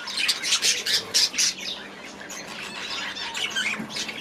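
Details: In an aviary, budgies start with a run of loud, harsh squawks roughly every quarter second, then drop into softer, fainter twittering chatter.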